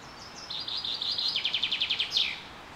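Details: Wild birds singing in spring at Carrizo Plain National Monument, California, USA, during a super bloom: a high buzzy phrase that breaks into a fast run of about ten rapid descending notes, ending in a brighter slurred note.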